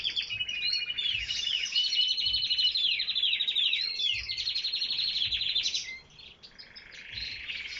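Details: Canaries in full song, with a continuous rush of high, rolling, slurred phrases and rapid chattering notes that fades briefly near the end before soft warbling resumes.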